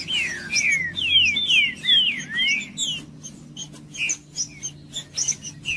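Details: Green-winged saltator (trinca-ferro) song aimed at warming up a cold bird: a fast chain of downslurred whistles for three seconds, then quieter spaced high notes roughly every half second.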